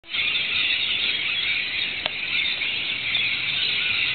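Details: Local Rainbow Lorikeets and other birds in Australia, as rain starts after sweltering hot days, screech together in continuous high-pitched chatter that never pauses, with a sharp click near the middle.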